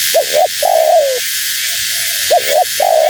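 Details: Female spotted dove, call meant to attract wild birds: a quick double note, then a level, slightly falling coo, then a faint soft coo, and the phrase begins again. Background hiss runs throughout.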